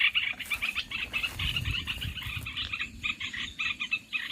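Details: Olive-winged bulbul lure call for trapping birds: rapid, grating chatter notes in uneven groups over a low background rumble.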